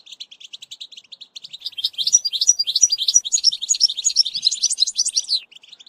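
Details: European goldfinch song with batbata, used to teach a young bird: rapid twitter building from soft to loud, dense tinkling and buzzy notes, then fading.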